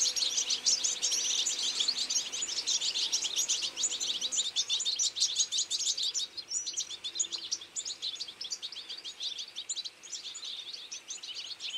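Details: Autumn feeding flock of European goldfinches giving a busy, unbroken twitter of rapid high chirps and tinkling notes from many birds at once.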